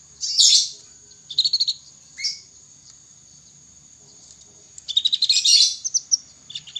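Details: Juvenile canary practising song (ngriwik): bursts of rapid, buzzy, high twittering and trilled notes, broken by a pause, with a constant faint high-pitched whine in the background.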